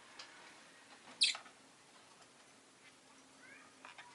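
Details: Rosy-faced lovebird giving a single sharp, high chirp, short and piercing, against a quiet background with faint softer ticks; the recording is stated to carry city noise such as car, motorbike and bicycle sounds.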